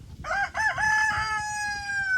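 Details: A rooster among backyard chickens crows once outdoors by a garden, a loud harmonic cock-a-doodle-doo with a few rough opening notes and a long drawn-out final note, rising slightly then held.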